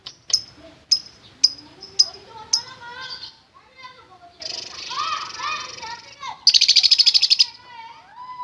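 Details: Lovebird chatter used as a lure to provoke fighter lovebirds: sharp evenly spaced chirps and softer harmonic squeaks, then a loud, buzzy rapid-fire chattering burst, the long 'ngekek' style.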